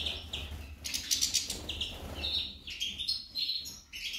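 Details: Female goldfinch delivering quick bright chirps and a burst of buzzy, rattling notes, then lively twittering phrases, with faint low background noise.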